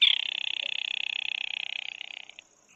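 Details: Rail, a sparrow-sized species of grassy meadows and wetlands whose varied repertoire includes grunts, squeals and tapping notes: a fast, buzzy, high-pitched rattle of rapid tapping pulses, steady about two seconds, then fading and breaking up.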